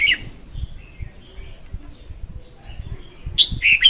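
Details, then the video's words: Female red-whiskered bulbul song for luring birds to a trap, 2021: a brief whistled note opens, a stretch of faint soft chirps and low thumping follows, then a loud, bubbling whistled phrase closes. "Tiếng chim chào mào hót Ko Tạp Âm dùng đi bẫy 2021"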